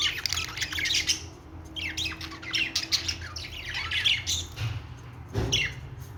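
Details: Singing budgerigars deliver continuous scratchy chatter with rising and falling chirps, nearly unbroken for six seconds, plus a soft knock near the end and low hum.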